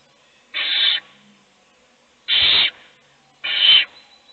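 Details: Owl in a nest box as an adult feeds one chick while the other chicks sleep; three harsh, breathy rasping hisses, each about half a second, spaced irregularly over four seconds, in a quiet box.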